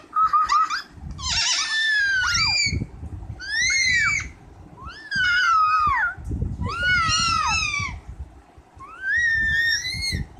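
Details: Pet parrot kept with a child, heard in a series of loud harmonic squawks and whistled calls, some rising and some falling, repeated in bursts about every two seconds, with low background rumble and faint voices.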